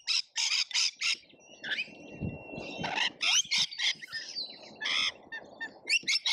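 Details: A feeder camera in Australia captures a lorikeet feeding frenzy: a rapid series of loud, rasping screeches in short bursts, a thin steady whistle, and a rumble of low feeder noise in the middle.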